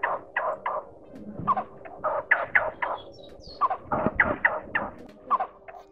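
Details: Blue-tailed bee-eater, male and female, calling to the flock with short, rolling, liquid calls, about four a second in uneven bursts, with faint background rustle.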